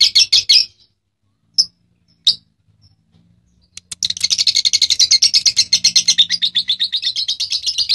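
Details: Lovebird giving a few scattered high chirps separated by pauses. It then breaks into a dense, rapid chatter of shrill notes that runs on without a break to the end.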